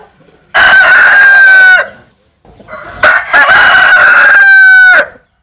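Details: Two long crows from a rooster of Vietnamese or American Sil stock, each a loud strained held note lasting over a second, the second preceded by stuttering onset notes.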